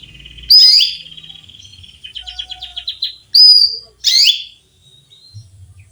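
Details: A female canary calls to a male: three loud, harsh, sweeping chirps, separated by a fast buzzy trill of thin repeated notes, in a quiet setting.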